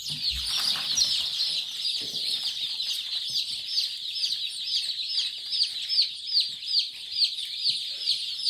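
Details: Day-old Kadaknath chicks peep continuously in a dense chorus, high, shrill, downslurred cheeps overlapping at about two per second, with faint low rustling beneath.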